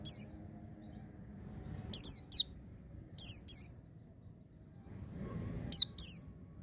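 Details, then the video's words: White-eye in the ngecir sambung ngalas song style, played to train untrained birds. High, thin downslurred chirps in tight bursts of two or three, separated by pauses of about one to two seconds, over a low background hum. "Suara Burung Pleci Ngecir Sambung Ngalas"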